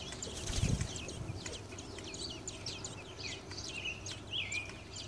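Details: Robin nestlings in a nest on a light beside a garage door wait for their mother to bring a worm, giving rapid, thin, high peeps in a busy stream, with a couple of clearer whistled notes near the end. One low thump comes early.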